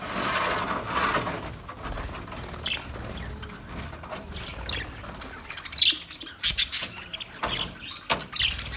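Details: Recorded on 9 March 2024, a broad rushing noise opens the recording. Budgie chirps and squeaky high notes then grow clearer in short bursts during the second half.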